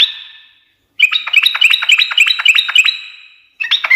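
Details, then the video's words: Fluting note fading out, then a dense chattering burst from a sooty-headed bulbul in 'ngekek garuda' style. Rapid rising-and-falling chirps are packed closely together and end abruptly. A fresh phrase starts after a short pause. "kicau suara trucukan gacor ngekek garuda menjadikan burung nyaut seketika"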